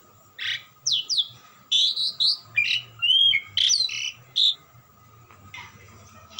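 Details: Asian pied starling in melodious, continuous song of varied slurred whistles, buzzy chatters and sharp upward notes in quick succession, fading to quieter notes at the end, with a faint low hum.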